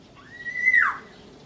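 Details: Small local Black-naped Oriole giving a single clear whistled note that rises, holds level, then slurs sharply downward, over faint steady background hiss.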